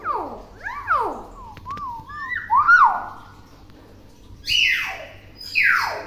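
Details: Pet hill myna, tame and clever at copying words, delivers falling whistled sweeps, a wavering warble and two loud downward-slurring whistles after a pause, indoors.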